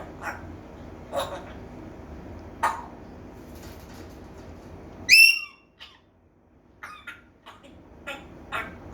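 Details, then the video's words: African grey parrot making different sounds: short harsh squawks spaced about a second apart, then a loud bright whistle with rich overtones, followed by softer chirps and clicks over a quiet background hiss. "parrots#making different sounds # gray african"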